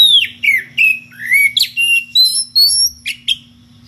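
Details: Calling a rival, a kacer ngeplong magpie-robin gives loud clear whistles, mostly gliding downward, some rising, delivered in a steady string of about ten notes with brief gaps, over a faint low hum.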